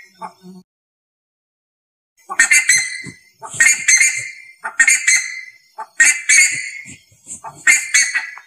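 An ibis gives loud, harsh, nasal calls in a series of bursts, roughly one every second, after a moment of quiet.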